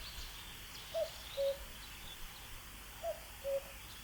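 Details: Two clean 'cuck-oo' calls from a common cuckoo, the high first note falling to a longer lower one, pairs about two seconds apart against a quiet hiss.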